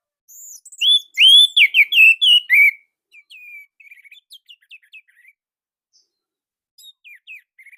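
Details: Orange-headed thrush song from Indonesia, tight and loud in style. A loud, fast cluster of whistled slurs and trills, followed by a long passage of faint, soft chips and quiet warbles.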